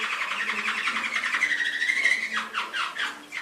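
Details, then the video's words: Canary singing a rapid buzzy trill that merges into a long steady whistled note, then breaks into a few separate down-slurred notes, from Indonesian recordings meant to train pet canaries. "Masteran Suara Burung Kenari 25"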